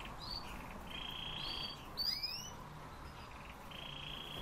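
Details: Siberian rubythroat song: drawn-out pure whistles broken by a quick burst of rapid, rising sweeping notes, then another long steady whistle, all over a steady low background hiss.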